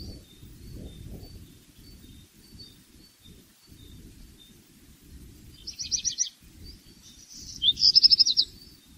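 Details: Black redstart song: after faint background chirps, a short crackling rattle followed by a louder buzzy phrase of quick repeated high notes near the end, over steady low rumble.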